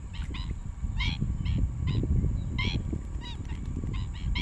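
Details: Juvenile black-winged stilt calling at Rompin paddyfields, Malaysia, on 8 January 2023: nasal, yelping calls about twice a second, some in quick pairs, over a steady low rumble of wind.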